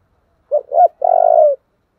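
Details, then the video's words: Spotted dove with the 'thổ' voice style: a couplet of short hoots, then one sustained, pulsing, purring coo that tapers off. "Cu gáy giọng thổ/ chuẩn thúc và gáy gọi"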